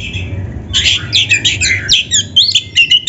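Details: Oriental magpie-robin, or kacer, singing energetically for a masteran tutor recording meant to spur captive kacer to sing: a thin whistled lead-in, then a tumbling stream of sharp, sweet whistles and slurred notes, rising and falling rapidly.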